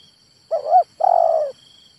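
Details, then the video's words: Single phrase from a male spotted dove, a brief wavering two-part coo followed by a half-second burry, slightly falling coo, with a faint high hum behind. "SUARA TEKUKUR JANTAN"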